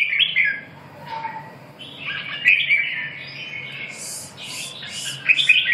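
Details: Red-whiskered bulbul (chào mào) giving short warbled, whistled phrases separated by pauses, with higher rapid chirps near the end.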